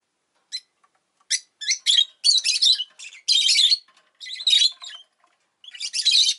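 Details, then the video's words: Pet rosy-faced lovebird (Agapornis roseicollis) chirping indoors: a burst of harsh, buzzy, high chirps packed closely from about one second on, some notes running together, with a short pause before a final cluster. "Lovebird Chirping Sounds"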